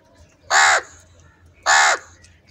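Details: Crow, said to be fighting over food, gives two loud harsh caws about one second apart, each short and grating with a dense noisy tone, against a faint low background hum.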